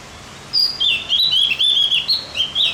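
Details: Javan grey-throated white-eye singing as tutor material to stir up other birds: a lively, continuous high twittering warble of rapid slurred notes, rising and dipping, lasting about two seconds over faint background noise.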